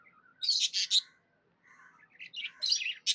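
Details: Happy pet budgerigar giving a few loud, harsh, buzzy chirps, then a brief pause, followed by a run of rising twittery notes and scratchy chatter.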